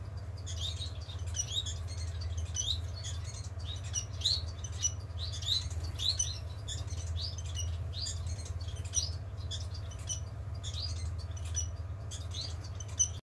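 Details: Two pet society finches recorded on 14 October 2020 give quick, high, squeaky chirps in irregular bursts, several per second at times, over a steady low indoor hum.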